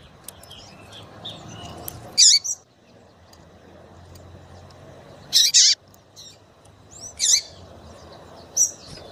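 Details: Chirping female double-collared seedeater used to make males sing: loud high chirps, some doubled and ending in a falling hook, coming every two to three seconds, with soft high twittering and low hum behind.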